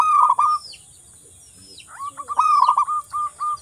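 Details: Zebra dove of local wild type in lively song: a quick rolling coo, a quiet gap, then a purring trill and a few separate clipped coos, with occasional high chirps nearby.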